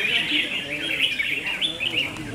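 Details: Contest-singing red-whiskered bulbuls produce a continuous chain of bright, lilting chirps and warbles, rising and falling in quick succession.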